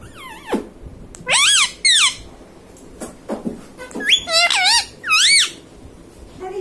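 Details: Pet ringneck parrot talking, saying "mummy papa": a string of loud, squeaky phrases that rise and fall, with short voiced bursts and pauses, indoors.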